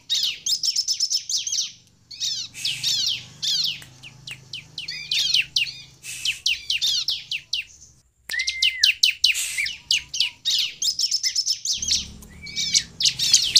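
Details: Long active song of a Sunda bush warbler, used to draw other birds into song. Alternating buzzy high trills, clipped chirps and a few thin whistles, broken by short gaps and one silent moment.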